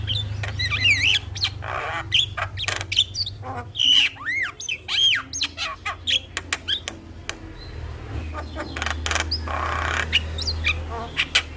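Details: Javan myna song for prompting a lazy myna to sing: a long, irregular jumble of raspy squawks, clicks and arched whistled notes, loud then thinning toward the end, with low hum throughout.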